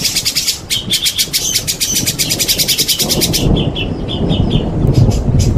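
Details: White-rumped shama in a therapy-style song recording with rain: a fast run of sharp, chattering notes about eight per second for three seconds, then scattered higher chips, over a steady low rain rumble.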